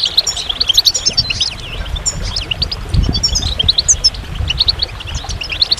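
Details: Goldfinch song: a dense, high twittering of quick chirps and short slurred notes, some rising, some falling, pouring out without pause over a low background rumble.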